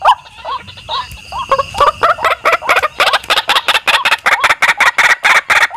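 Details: Lure call of white-breasted waterhen, Indonesia: begins with spaced, hooked croaking notes that speed up into a fast, evenly pulsed series of harsh, sharp calls.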